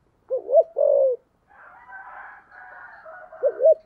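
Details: Spotted dove in 'thúc gù' cooing, 'thổ sấm' voice: a deep phrase of two bouncing notes and a sustained coo, then a soft higher chatter, before the next phrase begins.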